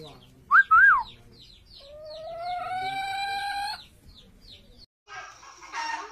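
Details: A common hill myna mimics a chicken: two loud arched clucking notes, then a long, drawn-out crow-like wail, followed by a brief rasping burst.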